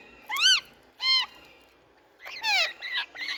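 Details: Rose-ringed parakeets, Indian talking parrots, calling loudly: a few separate arched, nasal squawks with strong harmonics, then a tight cluster of rougher screeches near the end.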